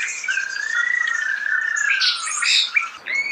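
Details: Close natural recording of a starling's song: a long wavering whistle slides up and then down, overlaid with harsh chattering and squeaky notes, ending in a brief pause and a fresh rising whistle.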